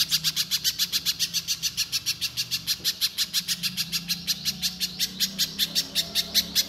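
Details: Little spiderhunter in nonstop shooting song, used to make raw spiderhunters sound off: about thirty-five crisp, high chipping notes packed closely and irregularly, with a low hum underneath.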